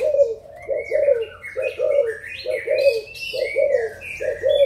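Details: Adult spotted doves of Malaysian and Thai stock, recorded 16 March 2022: low, throaty coos repeated in quick paired and triple groups about once a second, with brighter chirping and whistling from other birds above.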